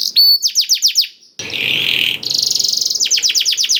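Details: Canary filled with blackthroat song, played to coax other canaries into singing: bright downward-sweeping notes, a brief harsh noisy burst mid-way, then a fast buzzing trill and more sweeping notes.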